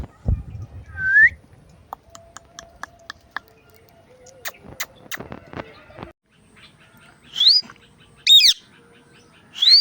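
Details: Indian ringneck parakeet talking and making sounds: a short rising whistle, scattered clicks and taps, then three shrill high whistled chirps near the end.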